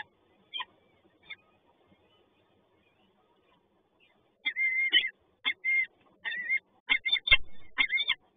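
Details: Peregrine falcon chicks at feeding time at a nest site in Toruń, Poland: after quiet opening seconds, a burst of loud, repeated, wavering high-pitched screeches and whines, each note short and rapidly repeated.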